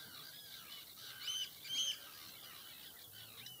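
A common redshank gives two clear, ringing whistled notes about half a second apart, over a soft murmur of distant bird calls.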